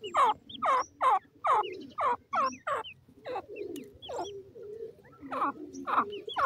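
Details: Grey francolin (dakhni teetar) heard together with its chicks: rapid, strident, repeated notes, each a harsh upward-sweeping cry, coming in quick bursts of about two per second, then a pause and a few more, with faint thin peeps between.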